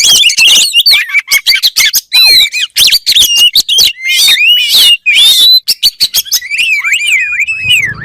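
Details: Oriental magpie-robin (kacer) song meant to spur other kacer birds into singing: a loud, rapid, varied run of sharp chips and short whistled slurs, ending in longer rising and falling whistled notes over a faint low rumble.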